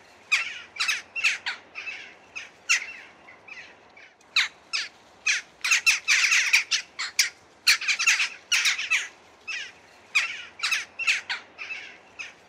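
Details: Western jackdaws (Coloeus monedula), likely several birds, give short, harsh, metallic 'chak' calls fired off in quick irregular bursts, some overlapping.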